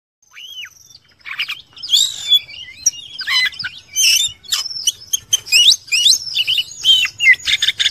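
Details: Caged white-rumped shama, recorded as training material for other birds, singing a varied, rapid series of whistled, slurred and chattering phrases, some rising and falling, with a quiet low hum beneath.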